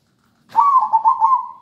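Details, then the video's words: Melodious local zebra dove: one rhythmic phrase of rolling, bubbly coos, four or five pulses strung together and tapering off softly. "Perkutut lokal gacor merdu"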